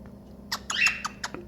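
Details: A 12-year-old hormonal male cockatiel defending a nesting spot against his owner gives a burst of harsh, raspy squawks with one shrill screech in the middle, about four rough bursts in a second and a half.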